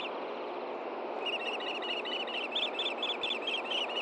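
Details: Osprey pair at a nest in Hellgate Canyon, Montana, filmed by nest camera at 9 AM on June 6, 2014, as the male delivers a fish to the female; a rapid run of sharp, whistled chirps begins after a second, over steady broadband rushing noise.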